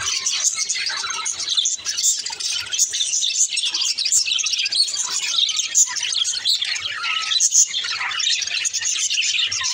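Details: Several budgerigars speaking to each other: nonstop twittering and rapid chirps, scattered with sharp high clicks and short whistled notes that dip and rise.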